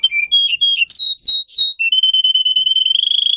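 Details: Russian singing canary, used to train young canaries. A series of short whistled notes jumps between higher and lower pitches, then settles into a fast, even, high trill that speeds up toward the end.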